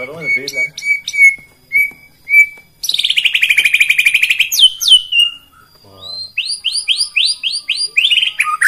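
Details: Song of a White-rumped shama packed with rapid bursts to provoke rivals: clear piping whistles, a fast buzzy trill, then a string of quick rising high notes repeated about twice a second.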